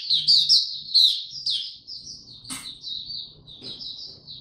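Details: Young caged white-eye (mata puteh), male, recorded 9 February 2022 while its song is still maturing: high, thin chirping notes in quick, uneven bursts, brighter at the start and softer later, with faint low room noise beneath.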